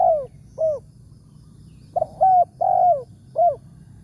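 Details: Morning decoy-luring of a big-voiced wild spotted dove: the tail of one cooing phrase, a pause, then a full phrase of four soft coos with a drawn-out, falling third note.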